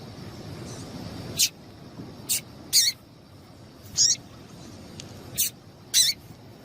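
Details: Calls of a female double-collared seedeater, meant to stir a male to sing: six sharp, high chirps spaced irregularly about a second apart over soft background noise.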